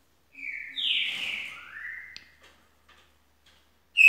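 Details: Green-winged saltator song phrase of clear whistles: a short steady note, a louder high note falling away, then a lower rising-level whistle. Quiet pause follows, with a brief loud whistle onset at the very end.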